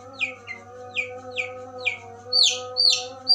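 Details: Long-tailed shrike imitating a tree sparrow (gereja) in a tembakan burst. Short, downslurred chirps come about twice a second, then sharper, higher chirps, with constant low electrical tones behind.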